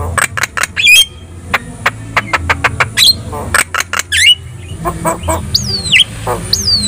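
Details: Chatty gacor song of a Javan myna, meant to make other birds respond: a run of dry clicks, short whistles, a rattled burst, then two long down-slurred whistles.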